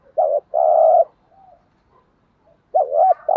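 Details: Lure cooing of a spotted dove, used to draw wild doves into calling back: a short loud coo, a longer sustained one, a gap of faint murmurs, then a wavering two-part coo.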